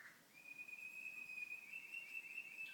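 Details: Pet canary at home, TV playing; a single long, pure, steady whistled note held for over two seconds with slight wavering, started and ended by brief higher chips.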